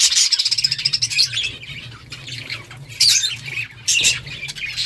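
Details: Pet budgerigars in a group giving dense, scratchy chirping and chattering, with bursts of squawky notes at about the first, third and fourth seconds over a steady low hum.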